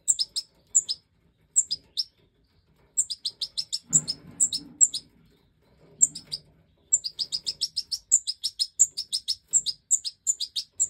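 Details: Young Goldfinch Major chicks in an aviary, fed by the hen after jumping from the nest: scattered high chirping pairs that build into a fast continuous run of shrill begging notes, with a soft rustle midway.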